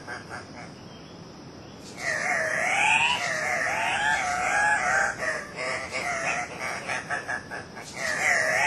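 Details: At a lek in Manu National Park, Peru, two male Andean cock-of-the-rock (ssp saturata) display on 1 August 2005; after a quiet start, raucous nasal squawks with wavering pitch begin and continue in rapid, uneven overlapping bursts.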